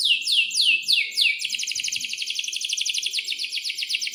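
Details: Atlantic canary in breeding condition singing a long rolling song, used as a lure for young canaries learning to sing: bright downslurred whistles repeated about every quarter second, then a fast, even, high-pitched rolling trill.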